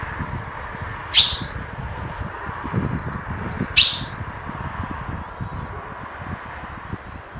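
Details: A female ultramarine grosbeak (azulão) gives two sharp, high chips about two and a half seconds apart, over a steady low rumble; males recognise this female call, which is used to excite them.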